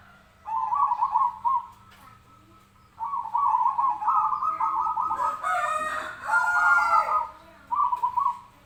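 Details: Zebra dove giving its fighting call, recorded for training other birds: rapid warbled, trilling coo phrases in bursts of one to two seconds separated by short pauses, with a brief buzzy, harsher passage near the middle.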